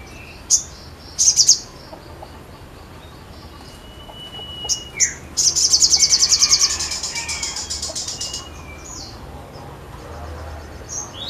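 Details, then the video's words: Lively sogon song: scattered sharp high chips, then a rapid high buzzing trill of evenly spaced notes fading into softer chatter, a few faint whistles in the background. "SOGON GACOR MANTAP"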